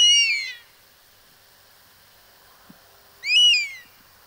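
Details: Two whistled calls of a European Honey Buzzard roughly three seconds apart, each a ringing note that rises then droops, with a quiet pause and a soft click between them.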